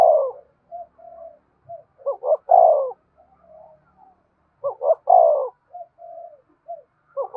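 A spotted dove gives soft, low, hollow coos in short repeated phrases.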